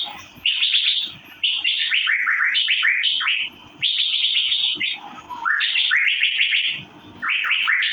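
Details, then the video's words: Asian fairy-bluebird (cucak biru) chirping in bursts of rapid, downslurred notes, each burst lasting one to two seconds and separated by brief quiet gaps. "Birds Cirphing Master Sound Effect Cucak Biru/Irena Puella"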